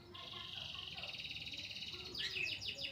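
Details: Long-tailed shrike of the Pastol type, a caged songbird in full song, recorded for training other birds: a long, dense buzzy rattle held for about two seconds, then a burst of sharp, rapid descending chirps, with faint background hiss.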